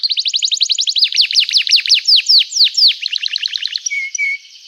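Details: Canary in lively song meant to set other canaries singing: fast trill into loud sweeping downslurred whistles, then a softer rapid trill and two brief flat whistles.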